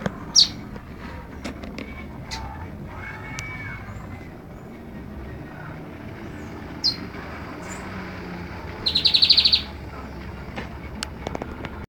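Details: Bengalese finch singing while perched on a person's hand; scattered sharp high chirps, then a quick burst of about ten rapid, buzzy repeated notes lasting under a second, over a low indoor hum.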